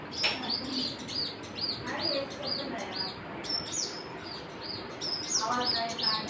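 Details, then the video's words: Birds chirping in a busy chorus: rapid high arched chirps in quick succession, interspersed with lower twittering notes and a few louder sharp calls, over a faint steady noise. "Birds chirping"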